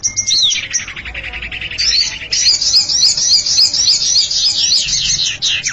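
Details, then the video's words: Lure sound of the common iora (cipow): a descending run of buzzy notes, then a sustained rapid, high-pitched chattering trill with rolling repeated elements. "Suara Pikat Burung Cipow"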